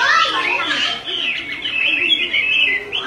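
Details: Chinese hwamei female calling nonstop beside a restless male, used to stir males to sing; a brief, smeared stream of high whistled and warbling notes, continuous without clear breaks.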